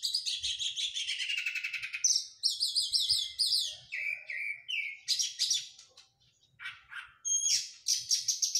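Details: Oriental magpie-robin after moulting, singing vigorously: a dense descending chatter, then bright looping whistles, short slurred notes and separate sharp chirps, ending in quick repeated high phrases.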